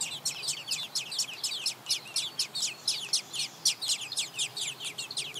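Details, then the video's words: Hungry robin nestlings clamoring while fed by their parents, a fast, even chorus of very high, thin, scratchy chirps, about four per second, with no other sounds. "Hungry Baby Robins In Nest Being Fed By Mom and Dad"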